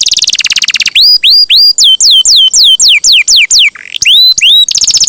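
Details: Canary in champion-style full song with a long roll, used as a tutor recording for training songbirds: a shrill trill, then rapid loud whistled sweeps repeated about four times a second, a brief buzzy note, and more rising whistles.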